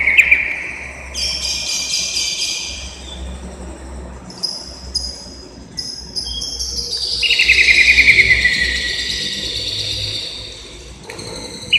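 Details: Greater green leafbird (cucak ijo) from Indonesia chirping: long, high, bright whistled strands layered in bursts, then a loud rapid trill of pulsed notes sliding downward near the eight-second mark, and a short closing whistle, over a low steady hum.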